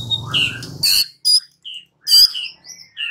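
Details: White-rumped shama song used as a lure to make another shama answer and sing: quick high chirps and short whistled notes between sharp bright bursts, with a low rumble at the start.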